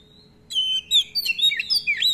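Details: Oriental magpie-robin singing actively, long rolls and varied filler phrases, meant to trigger and teach other magpie-robins: a dense warbled stream of high whistles, slurred up and down and richly varied, above a steady low hum.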